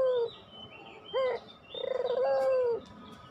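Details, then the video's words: Pelung-style Barbary dove used as a lure; a trailing coo, then a short rising note and a long, slightly pulsing, level coo ending in a downward slur. "masteran puter pelung, 100% AMPUH pikat PUTER MALES BUNYI JADI GACOR MANGGUNG, PANCINGAN PUTER"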